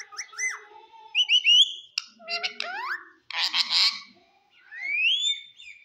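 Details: Green parrot's chatter: falling and rising whistled notes, a sliding whistle, a dense harsh noisy burst, then a long upward-gliding whistle, with short silences between phrases.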